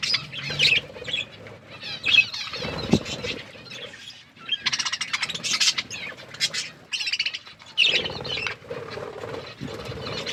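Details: Budgies eating food and playing, heard as bursts of fast scratchy warbles and chirps with rustling and pecking sounds between phrases and a short quiet gap midway.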